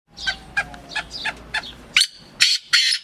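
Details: Black francolin in breeding excitement: a string of short rising chips building into three loud, harsh, grating notes.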